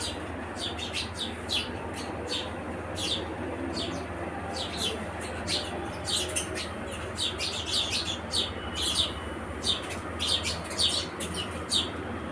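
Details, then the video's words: House sparrows chattering busily, dense runs of bright, overlapping chirps, some in quick clusters, above a constant low hum. "Sparrow Birds Gauraiya Chidiya"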